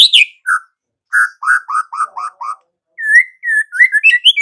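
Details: Lively white-rumped shama song: a high sharp note and a mellow whistle, then a row of five rich, falling fluted notes, a gap, and a run of rising, warbling phrases, recorded cleanly.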